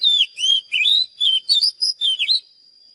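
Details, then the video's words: Oriental magpie-robin giving a loud run of about eight clear whistled notes, swooping and rising, closely spaced over two and a half seconds, then stopping, a faint steady high tone in the background. "เสียงนกกางเขนบ้านหรือนกบินหลาขี้ควายใต้ [ Mới nhất ] Chòe than HÓT CỰC ĐÃ || Luyện chòe than hót gi"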